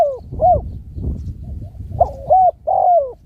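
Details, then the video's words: Spotted dove calling: a series of mellow, slightly quavering coos, the last two longer and louder, over a steady low rumbling background. "Bunyi tekukur"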